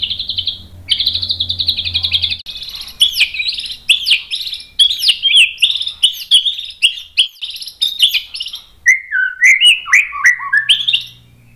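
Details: White-rumped shama song used as a tutor recording to provoke other shamas into answering: a buzzy high trill, then a rapid, loud run of varied whistles, chips and slurred notes that drops lower near the end.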